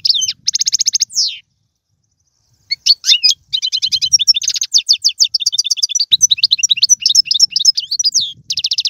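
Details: Song of a European goldfinch used to encourage a caged goldfinch to sing; bright twittering phrases and buzzy trills, a pause of about a second and a half, then a long unbroken run of rapid high chirps.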